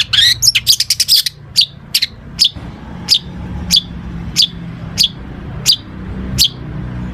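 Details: Long-tailed shrike delivering a fill-in-rich song meant to coax other shrikes into singing: a fast burst of sharp high notes opens, then single crisp chips repeated roughly every two-thirds of a second over steady low rumble.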